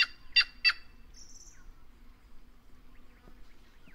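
A White-naped Jay gives three loud, harsh, rasping notes in quick succession, then a brief higher nasal note, with faint background noise.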